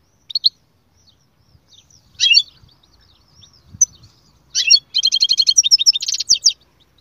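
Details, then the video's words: Goldfinch singing in scattered bursts: brief high chirps and a short twittering phrase, then a long, fast, rattling trill of repeated notes, with faint low background noise. "أقوى تغريد مقنين يجعل المقنين الساكت يسير"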